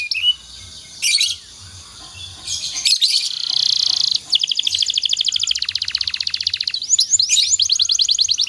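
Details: Domestic canary singing in the dense 'nembak rapat' style, played as training song for other canaries: scattered chirps and a rolled buzzy phrase, then long rapid clicking trills and quick sweeping notes near the end.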